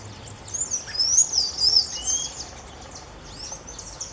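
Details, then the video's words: Creamy-bellied thrush calling in the wild: a run of high, thin whistled notes sliding up and down, bunched over about two seconds, then quieter scattered chirps from other birds over a soft background hiss. "Sabiá bico de louça piando e chamando da natureza"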